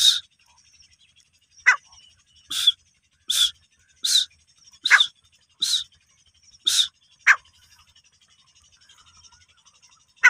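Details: Female desi teetar, the grey francolin, gives a series of sharp, high, clipped notes, about a dozen spread over ten seconds at roughly regular intervals, in an otherwise quiet setting.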